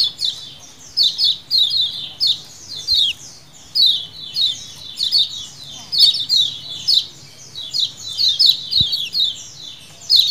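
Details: Massed 'ciakan' calling of lemon-bellied white-eyes in wild style, a lure recording: overlapping high, slurred chips tumbling downward in repeated clusters, with a faint click partway through.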